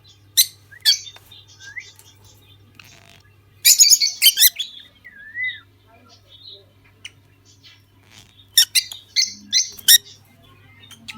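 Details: Two lovebirds chattering: scattered sharp squeaks, a loud harsh burst of screeches near the middle, curving whistled twitters and more shrill calls later, with a low hum in the background.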